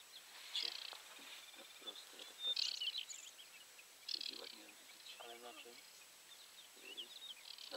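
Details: Aquatic warbler calling from halfway up the grass at 53.285783, 22.604919: short, scratchy, high chirps and brief trills at irregular moments, while a man talks quietly in Polish nearby.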